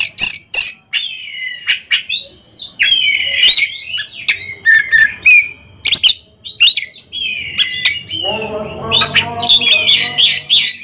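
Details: Caged Oriental magpie-robins singing against each other in competition: separate loud whistled phrases with sharp clicks and gaps, then a faster, denser stretch with tonal hum beneath near the end.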